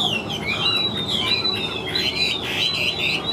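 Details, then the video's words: Wild-caught Chinese hwamei in a cage, singing a continuous stream of loud, high, drawn-out whistles that waver and glide between notes, over a faint background hiss. "Họa Mi Chơi Cánh, Đuôi Lá Vả - Hót Hét Tốt Giọng Căng"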